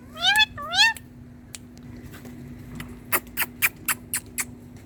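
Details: Green hand-tame Indian ringneck parakeet at a mirror gives two quick rising, harmonic whistle-calls, then a run of about six evenly spaced sharp clicks.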